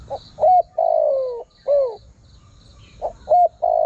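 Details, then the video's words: Spotted dove calling to attract wild birds. The phrase has staccato opening notes, a long gliding coo that falls in pitch, and a shorter dropping coo, then begins again. A faint high trill and chirps are in the background. "Chim cu gáy gọi hay kích bổi nhanh nổi"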